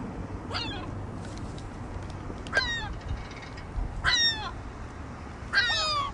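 A juvenile Ring-billed Gull gives four harsh, nasal squawks, each wavering and slightly falling, about every second and a half, over a low background rumble.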